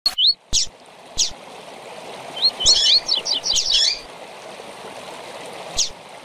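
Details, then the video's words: Rusty-collared seedeater tui-tui call used for training seedeaters: sharp, high whistled notes and quick rising chips clustered into a brief twittering burst, over a steady rushing sound like flowing water. "Tui Tui com Piado para Encarte de Coleiro e Papacapim"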